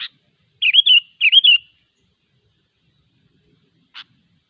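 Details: A sooty-headed bulbul in the wild sings two matching short phrases, each a wavering up-and-down whistle, bracketed by sharp clicks.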